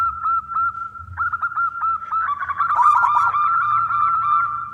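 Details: A local wild-type zebra dove (perkutut lokal) sings loudly, a rapid run of soft staccato coos swelling into a rolling, overlapping trill over a faint low hum; used as a lure to prompt other doves to sing.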